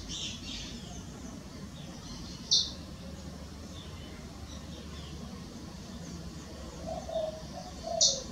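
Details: A pair of Blue-and-white Swallows (Pygochelidon cyanoleuca) vocalizing while preening in Costa Rica; one gives two brief, thin, high chirps about five seconds apart over steady outdoor hiss, with a soft lower twitter near the end.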